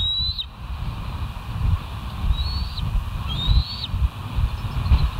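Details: Wild bald eagles at West End on a live nature cam, 27 August 2023 at 07:00: three high, thin whistled notes, each rising and then dropping sharply, spaced about a second apart over steady low wind rumble.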